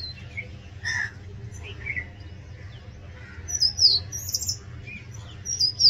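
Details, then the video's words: Oriental magpie-robin singing loudly: separate clear whistled notes, some mid-pitched, others high and sliding, in short bursts about every two seconds that grow more frequent toward the end, over a steady low hum. "Oriental magpie robin Song"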